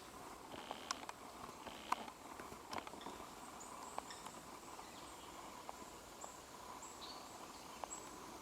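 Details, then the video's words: A female Great Spotted Woodpecker (Dendrocopos major hondoensis) pecks an oak branch (Quercus serrata) in Japan in mid-July 2012. Irregular sharp dry taps come over an outdoor hiss, with faint distant bird notes. "Great Spotted Woodpecker Female アカゲラ♀がコナラの枝をつつく"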